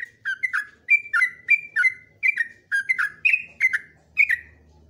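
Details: Yellow-vented bulbul song from a long continuous training recording: clear whistled notes around the upper-middle range, each falling slightly, delivered in quick phrases of about three notes per second with sharp clicky onsets.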